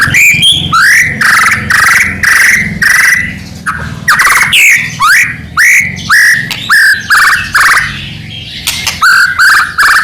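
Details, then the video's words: Constantly singing Medan white-rumped shama, full of filler phrases, used to provoke other shamas to reply; harsh rising notes repeated steadily about twice per second, over a faint low hum. "murai batu gacor AMPUH buat PANCINGAN murai batu agar bunyi JADIKAN burung murai gacor EMOSI NYAUT"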